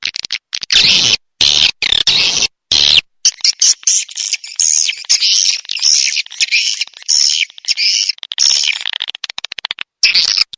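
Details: Swiftlet calls as a lure sound: continuous rough buzzy twittering in high pitch, chopped by abrupt silences, with wavering notes throughout.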